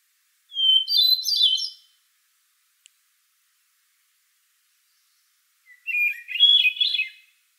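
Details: Hermit thrush singing two flute-like phrases, each opening on a clear held whistle and breaking into rapid, ringing, higher-pitched notes. The phrases are separated by about four seconds of silence, and the second phrase starts lower than the first.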